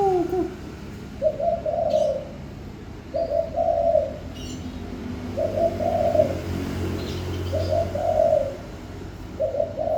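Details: Spotted dove song repeated steadily: five soft two-part cooing phrases over ten seconds, low and hollow, with a few faint high bird chirps and low background rumble.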